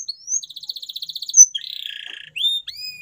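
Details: Canary singing to prompt mute canaries to sing again; rapid pulsed high trill, a sharp whistled upslur, then a lower rattling trill and brief rising whistles, all high-pitched and continuous.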